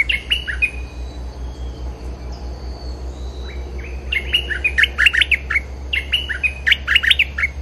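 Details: Bulbul lure call for attracting wild birds: short rising and falling whistled notes, a quiet opening phrase, then a long lively run of rapid chirpy, bubbling notes, with a faint background hum.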